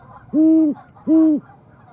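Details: Owl visiting an osprey nest platform in Charlo, Montana, on March 23, 2019, before the ospreys return, seen live on a nest camera: two deep, even hoots about half a second apart, each a steady low tone.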